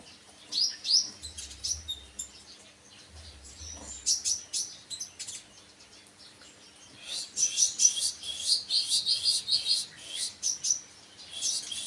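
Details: Kolibri wakul sunbird singing in short bursts of thin, high chirps and twitters, with a quiet pause midway before a denser run of rapid, sharp notes near the end.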